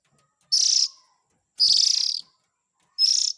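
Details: Oriental magpie-robin young calling, played to attract parent birds: three rasping, buzzy bursts, the middle one longest, separated by gaps of about a second, with a faint steady low hum.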